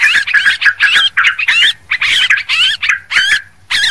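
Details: Noisy Sooty-headed bulbul lure sound: lively, gurgling warbled chatter in irregular bursts, with rising and dipping notes and a faint low hum underneath.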